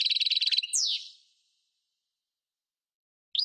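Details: Goldfinch of the parva subspecies ends a fast, high trill with a drawn-out falling buzzy slur, followed by nearly two seconds of silence and a brief restart of twittering.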